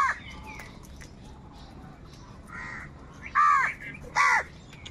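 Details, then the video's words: Crows fighting with wild birds over food, cawing live: after quieter scattered calls, two loud, raspy, nasal caws come about a second apart near the end. "Wild birds fight with crows for food | Crow bird live crowing sound - কাকের ডাক"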